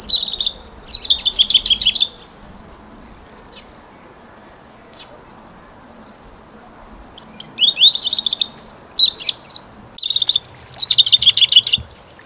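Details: European robin singing in spring, high, thin phrases that start with a sharp, high note and tumble downward into quick, sparkling trills, separated by pauses of several seconds.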